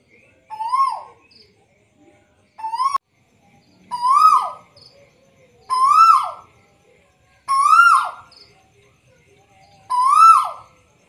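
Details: Little bronze cuckoo, still vocal while held. Six bright, rich whistled notes, each climbing then dropping sharply, spaced roughly every two seconds in a steady series.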